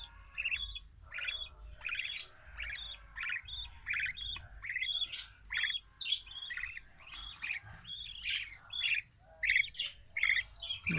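Young budgerigar chicks give a steady stream of thin, raspy chirps, one after another.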